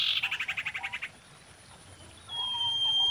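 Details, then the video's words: Common iora (sirtu/cipoh), reportedly female, singing to attract mates as a lure: a rapid pulsing trill of about ten notes, a pause, then a high level whistle beginning to swell. "SIRTU GACOR KAWIN"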